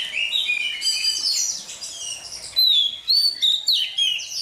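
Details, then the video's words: Newly caught Oriental magpie-robin singing to warm up its voice in the morning: dense run of high whistled and buzzy notes, then loud clear descending whistles and short sweeping phrases from about halfway. "Choè than bổi lên hót luyện giọng lên lửa mỗi sáng"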